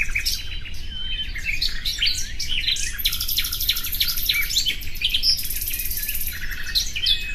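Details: Varied common nightingale song mixing quick slurred chirps, brief whistles and two stretches of very high, rapid buzzing trill, nearly unbroken throughout, with steady low background noise.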